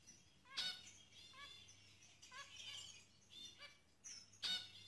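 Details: Zebra finches showing signs of pair bonding: scattered short nasal beeps and soft chatter between two loud, sharp clicking bursts near the start and end.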